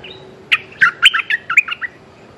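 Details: Streak-eared bulbul calling a mate: a quick phrase of about eight sharp, liquid chirps, each dropping and bending between high and middle pitch, over a faint steady hum.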